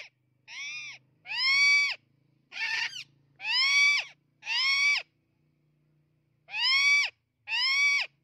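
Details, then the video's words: Amazon parrot screaming: loud, harsh, harmonic-rich calls about half a second long, each arching up then falling, given in irregular bursts of two or three with short pauses, no other sounds. "Amazon parrot natural sound/ Amazon parrot screaming sounds"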